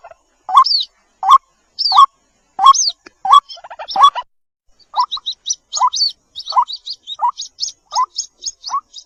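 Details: White-breasted waterhen chick calling: short rising notes near one kilohertz repeated roughly every second or less, followed by a run of thin high peeps in a quicker series.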